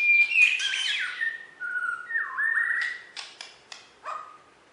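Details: Champion Bornean white-rumped shama kept in a cage in West Kalimantan sings clear whistled phrases, some rising and some falling, mixed with sharp clicking notes, then a final short whistle, indoors.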